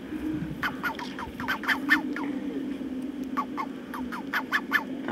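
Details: Magellan geese calling in captivity at Marwell Zoo, England: a run of short, sharp, repeated notes, some in quick pairs, over a steady low hum, with a brief pause midway before the calling resumes.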